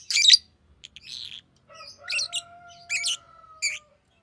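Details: Green lovebird calling in loud, high chirps, with a steady, slightly falling whistled tone underneath for about two seconds.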